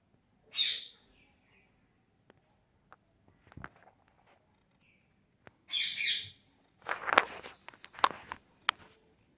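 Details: Parrot calling while playing, recorded on August 26, 2023: loud harsh broadband squawks in short bursts, a single one near the start, then a cluster of rasping screeches and sharp clicks toward the end, with quiet gaps between.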